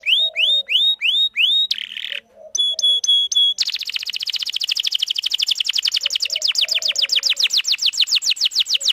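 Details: Canary song used to lure a male and train young birds: rising whistled notes repeated in series, a buzzy burst, then a long fast trill of rapid sweeping notes.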